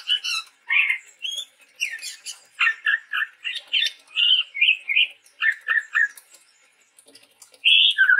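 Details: Chestnut-rumped babbler, a male Sumatran forest bird, giving a rapid run of chirpy, slurred notes, about two per second, bright and varied, ending after a short pause with a loud downslurred whistle.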